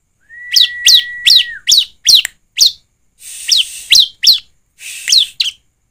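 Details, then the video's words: Bar-winged prinia singing a quick run of sharp, high, down-slurred chirps, two or three a second, opened by a steady whistled tone, with patches of hiss behind later notes; used as a lure to get birds singing. "ciblek gacor ( suara ciblek)"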